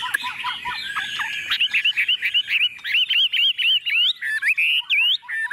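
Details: Tame Chinese hwamei placed on a table, singing confidently: rich, loud whistled song of quick slurred notes, then runs of rapidly repeated rising-falling phrases and a few bright upswept whistles near the end.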